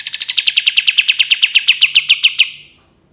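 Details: A 'tembakan' trill from a cream-vented bulbul: a quick run of about seventeen crisp, evenly spaced notes, starting high and easing down to a steady pitch before dying away.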